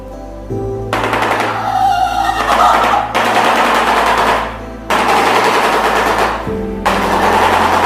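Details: Shoebill, a bird of East African freshwater swamps, bill-clattering to attract the opposite sex: loud, dry, rapid wooden rattling in long machine-gun-like bursts over a low droning musical background.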